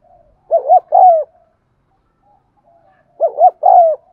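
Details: Cooing of a spotted dove, used to stimulate birds that will not coo: two mellow phrases roughly three seconds apart, a rapid two-part rolling note then a sustained, gently descending coo.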